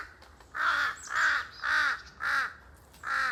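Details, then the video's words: Harsh, loud caws from a pair of large-billed crows noisily calling in a forest, five rough calls at about half-second intervals with slight echo. "큰부리까마귀 한쌍 시끌벅적거리는 울음소리 메아리치는 숲 속 A pair of Jungle Crow, their noisy cries echoing through the forest"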